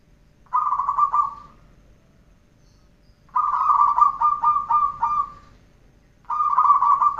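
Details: Training recording of zebra dove song: dense, buzzy runs of fast cooing notes come in three bursts, the longest lasting about two seconds, with near silence between them.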